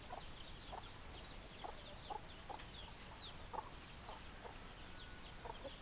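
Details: Chickens on a farm, hens clucking: short low clucks repeated roughly every half second, with faint high chirps of small birds above them and a steady background hiss.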